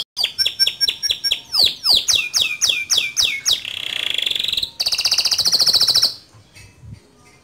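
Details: Male canary singing in a lively, continuous style meant as a tutor for young canaries: a series of falling whistled notes about four per second, then buzzy sustained rolls and a rapid trill.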